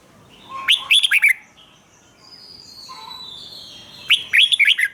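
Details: Red-whiskered bulbul, a caged songbird, singing a doubled phrase used as a model for young birds: two brisk clusters of bright, rolling whistled notes, one near the start and one near the end, with quiet high chirping between them.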